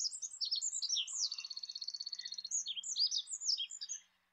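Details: An olive-backed pipit (Anthus hodgsoni) sings a rapid, high jumble of thin sweet notes, broken midway by a fast buzzy trill, with no other sounds.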